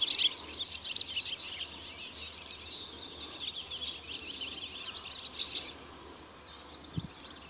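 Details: Barn swallow twittering from an Oostvaardersplassen bird hide, September 2016, recorded on a Panasonic Lumix GH4: bright, rapid chirps strongest at the start, thinning later above a steady background hiss, with one low thud.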